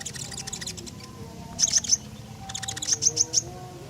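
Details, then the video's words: Lively Common iora song intended to lure other birds into singing: two groups of three or four piercing high chip notes after a soft dry ticking rattle, against a low steady hum. "Tembakan JITU Burung KONIN Gacor, Sangat Cocok buat Pancingan."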